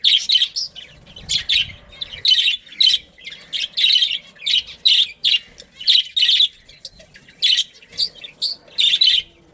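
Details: Budgies of a breeding colony keep up a steady stream of scratchy, squawking chirps, about fourteen over nearly ten seconds, with faint low rustling underneath early on.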